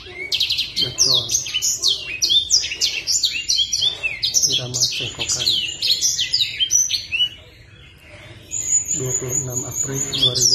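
A Black Sunbird pours out a rapid, high-pitched twittering song of sharp chirps and thin trills, almost without pause. Low human voices murmur faintly underneath.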